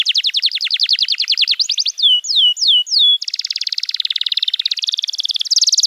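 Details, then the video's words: Canary song to coach young canaries: a quick trill of downslurred notes, a few separate sweeping whistles, then long rolling rattles of very fast repeated notes. "Masteran Kenari PAUD & Pancingan Kenari MACET BUNYI"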